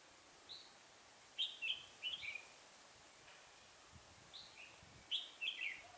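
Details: Decoy red-whiskered bulbul singing during trapping on a chilly 12-degree day in November 2017: two bursts of quick, chirpy warbled notes, three or four per burst, separated by a few seconds of quiet background hiss.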